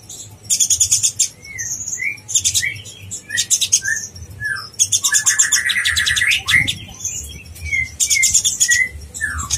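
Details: Lively konin blorok song used as training master for contest birds: long shrill rattling trill bursts alternating with short clear upward-slurred whistles, plus a lower rich warbled phrase near the middle.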